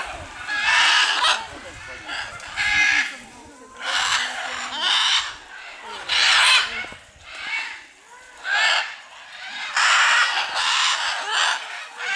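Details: Several scarlet macaws at a reserve in Punta Islita, Guanacaste, Costa Rica, flying down from a Guanacaste tree: a string of raucous, screeching squawks, roughly eight harsh bursts, some overlapping, spaced irregularly over twelve seconds.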